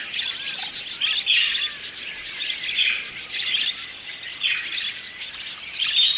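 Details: Budgerigar (Melopsittacus undulatus), flock chatter.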